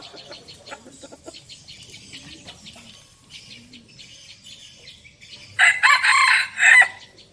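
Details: Decoy red junglefowl kept for sale gives a single loud, rasping crow, broken into a strong opening burst and a shorter, choppy ending, preceded by several seconds of soft rural background with faint bird chirps.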